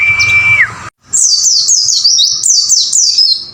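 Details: White-eye song for training caged birds, 'wucit wucit' style: a level whistle ending in a downward slide, a brief silence, then a steady stream of high, rapidly repeated down-slurred notes.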